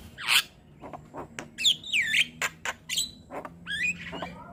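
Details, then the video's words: Young Javan myna singing hard and bobbing its head, kept as a model for other mynas to imitate. Harsh squawks alternate with looping, slurred whistles and sharp clicks in an uneven, varied phrase. "Masteran Burung Jalak Kebo Muda Gacor Manggut - Manggut Jalak Kebo Lain Pasti Cepat Niru"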